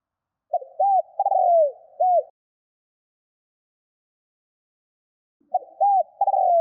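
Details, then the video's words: Spotted dove call used to lure and stimulate wild doves: two clean phrases of low, hollow coos, each a quick series of rounded notes ending in a drawn-out falling coo, separated by three seconds of silence. "Tiếng CHIM CU GÙ GÁY KÍCH BỔI NHANH GÁY"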